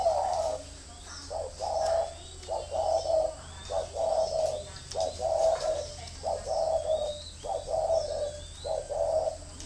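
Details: Decoy spotted dove cooing steadily, its throaty two-part phrases coming roughly every second over a constant electrical hum.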